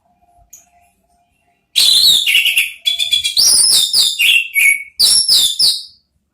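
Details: An orange-headed thrush delivers ngeriwik chatter as a trigger song: after a faint thin whistle, a burst of rapid, sharp whistled notes, some sliding down in pitch, repeated in quick bunches for about four seconds.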